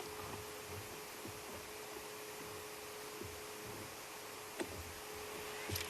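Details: Quiet room hum with a steady electrical tone, faint rustles and a few soft clicks, with no animal sound.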